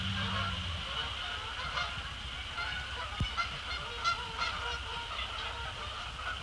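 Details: Canada geese splashing down on Sapsucker Woods Pond in the post-sunset sky; scattered honks from a flock, a low rumble at the start, and a steady hum behind.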